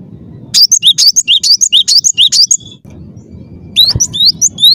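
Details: Persistent song of a cinereous tit: a rapid run of ringing, high paired notes for two seconds, a short gap with a brief thump, then more rising whistled notes.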